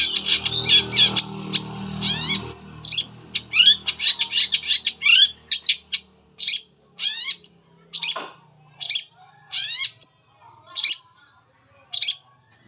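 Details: Long-tailed shrike song used as a lure to get other shrikes singing: loud, varied series of sharp high chirps and buzzy sweeping notes, fast and dense at first, then spaced about once a second, with a faint low hum early on.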